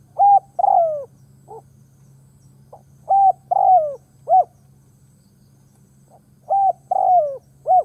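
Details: Spotted dove used as a decoy to provoke wild birds, repeating its coo phrase three times in eight seconds. Each phrase has a short level coo, a longer falling coo and a clipped arched note. A steady low drone sits underneath.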